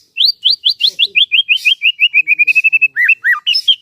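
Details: White-rumped shama kept as a trainer for other shamas, pouring out a quick descending string of about twenty clear whistled notes that level off, then a few looping slurs.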